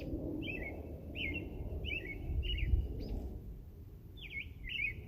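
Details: Bird chirping in a loose series: bright, clipped notes that dip and twist, about six in five seconds, one with a buzzier sweep near the end, against a constant low outdoor hum.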